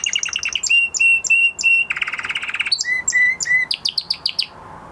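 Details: Caged male canary singing after its moult, in training to reach full song: loud bright trills of rapid repeated high notes, a buzzy rolled phrase in the middle, then faster upward-sweeping chirps before fading.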